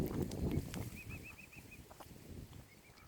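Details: Baby mute swan cygnets at Oxford Island Nature Reserve on Lough Neagh, Ireland, give a quick string of six even, high, arched peeps, then two softer ones, after a burst of low noise.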